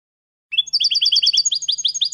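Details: Goldfinch song meant as a model for training young birds, starting after a half-second pause: rapid, high, tinkling trilled phrases in quick succession, with a faint low hum underneath.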